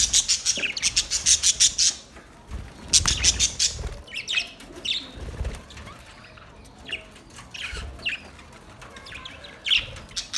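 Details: Budgies chirping: two strong bursts of fast, rattling high chatter in the first four seconds, then scattered single squeaks and short chirps over a quieter background.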